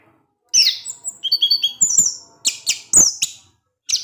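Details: Kept orange-headed thrush singing in the ngecip ngecis teler style: a rapid medley of high, sharp whistled notes and short chirps, some slurred downward, with brief pauses and a final clipped note after a half-second gap.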